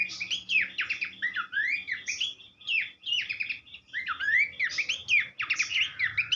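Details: Rich, varied Horsfield's babbler song used for teaching songbirds: quick bursts of looping, slurred whistles and downslurs in tight clusters, almost continuous over several seconds with brief pauses between phrases.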